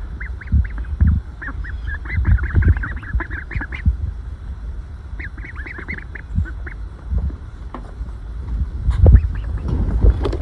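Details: A pile of calm, contented ducklings resting in sunshine and shade peep softly. The peeps are brief and arch-shaped, clustered in chattering runs with short pauses, and low thuds and rustling are heard underneath.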